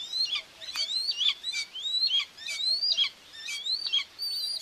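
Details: At a nest in Tiszalök, Hungary, on 2 June 2024, as a mother Common buzzard feeds two young, thin, high whistled calls rise then slur down, overlapping and repeated about once a second, with faint hiss.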